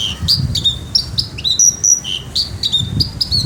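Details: Captive Javan bush lark singing energetically: a quick varied run of shrill whistles and sliding notes with brief ticks between them, and low background rumble.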